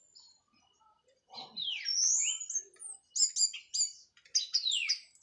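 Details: Freshly moulted Orange-headed thrush from Cililin in 'plong' and 'teler' style: a low rough note, then sweeping high whistles and rapid repeated bright chips in short bursts, with clean quiet background.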